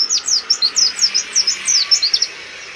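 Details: Oriental white-eye, kept as a songbird, singing hard with open beak to provoke rivals: a fast run of high, thin chirping notes, about eleven quick downslurred twitters in under three seconds.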